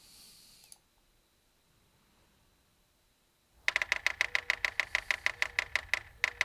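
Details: Yellow-bellied Sapsucker drumming, a wholly nonvocal signal: sharp wooden taps that start in a quick burst, then slow and turn uneven, about twenty taps in under three seconds.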